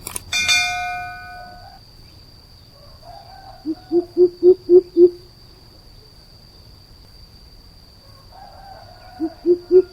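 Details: Greater coucal giving deep hollow hooting notes, a rising series of five evenly spaced boops near the middle and another short series at the end, opened by a sharp metallic clang and backed by a steady high electronic tone.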